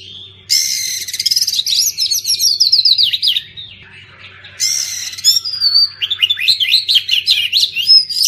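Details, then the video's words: Kacer, the oriental magpie-robin, singing, played for mute birds to spark them into song after moult. Two loud bursts begin with harsh buzzy rattles, then rapid sweeping whistles, separated by a quieter pause. A soft steady hum runs underneath. "Kacer pasti nyamber dan gacor klo dengar ini"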